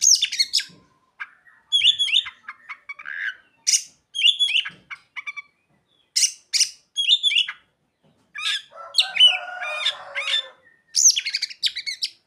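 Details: Oriental magpie-robin singing continuously with mimicked phrases of other birds: clusters of sharp high chips, whistled downslurs and quick trills in repeated bursts, plus a buzzy chattering stretch near the end.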